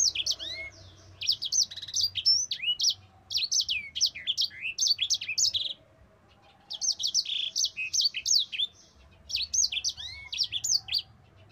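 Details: Caged Mozambique canary delivering long rolling song meant as a training model for other birds: dense bursts of quick high sweeping whistles, three phrases separated by brief silences, with a few lower slurred notes.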